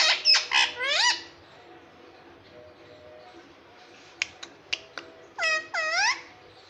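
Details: A pet parrot imitating "mummy" and "papa" opens with several loud, harsh harmonic squawk-like syllables, goes quiet over a faint hum, then gives a few sharp clicks and two rising, curved voiced notes near the end.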